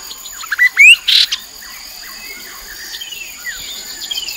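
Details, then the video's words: Chestnut-capped babbler on the Mekong riverbank at Nakhon Phanom, Thailand, 2021, used as a lure sound: a few loud, sharp rising and falling whistled notes early on, then fainter slurred notes, over steady insect chirping. "นกกินแมลงกระหม่อมแดง Chestnut capped babbler sound"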